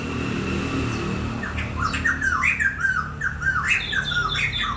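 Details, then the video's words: Bird song: after a quiet start, a run of warbled, down-slurred whistled notes around the middle pitch range, repeated in quick phrases with some higher chirps; low background hum throughout. "Tiếng chim hót hay"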